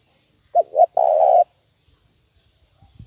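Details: Spotted dove used as a decoy, giving the fast, forceful 'thúc bổi' lure call for trapping: two short low coos, then a longer, steadier, slightly wavering coo, with a faint steady electronic whine behind.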